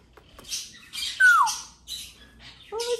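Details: A 2-year-old African grey parrot, asked whether he likes to give kisses, gives a run of wet, smacking kiss sounds about every half second, with a short falling whistle among them and a woman's voice at the end.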